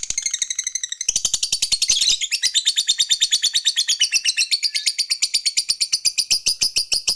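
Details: Lovebird fighter giving a long ngekek meant to provoke rival males: an unbroken, fast rattle of piercing, buzzy notes lasting over seven seconds, growing slightly denser and louder after the first second.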